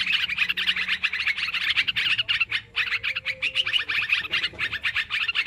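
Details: Lure recording of noisy sooty-headed bulbuls for trapping birds: a steady wall of fast, bright chattering from many birds, dipping briefly before rising again.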